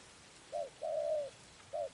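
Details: Spotted dove cooing in a trapping setting: a short low coo, then a longer sustained coo, then another short note starting a new phrase. A steady hiss of background noise runs underneath.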